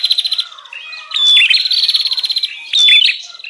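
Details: Bar-winged prinia lure call: a soft opening twitter, then a loud, grating rattle of fast repeated notes and a final sharp burst, for attracting wild birds.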